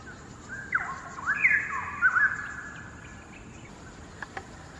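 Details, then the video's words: Distant straw-headed bulbul singing from a hanging branch across a quarry in Singapore, two birds present. A short burst of loud, fluty warbling with rolling rising and falling whistles, then quieter background with faint clicks. "Bird Song: STRAW-HEADED BULBUL's melodious singing"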